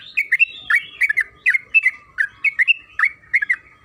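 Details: Trucukan kebo, the yellow-vented bulbul, in a long rapid song used as a lure to set another bird singing: quick warbled double notes, rising and falling, tumbling one after another without pause.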